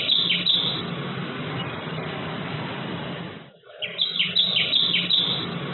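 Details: A tailorbird feeding its young at 11:10–11:14 am on 5 March 2022 gives high, thin chirps in quick bursts, two or three a second, falling slightly in pitch, over a steady low hiss.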